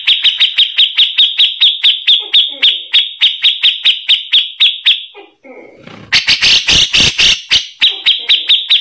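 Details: Grey-cheeked bulbul, rough-voiced song used for tutoring magpie-robins: evenly repeated sharp chipping notes about three per second, a brief break, then loud harsh broadband bursts before the chipping resumes.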